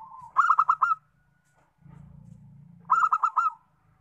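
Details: Local zebra dove giving two bursts of rapid, trilling coos, each about five notes, separated by a pause; a low steady hum runs underneath.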